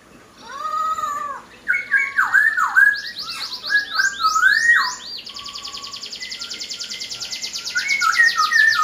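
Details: Poksai Hongkong laughingthrush delivering a rich, varied song: looping whistles and slurred phrases give way to a fast, even rattle of rapid notes that continues to the end.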